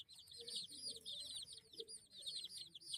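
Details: Several baby chicks peep continuously, each high chirp arching up and down in quick succession, overlapping into a steady chorus with faint low background noise.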